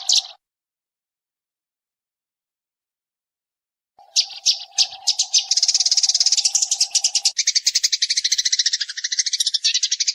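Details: Eurasian tree sparrow, nyrecet-style chatter, recorded to train birds: a brief high burst, about three seconds of silence, then scattered sharp chirps that run into a fast, harsh, buzzing rattle, with a faint steady hum beneath.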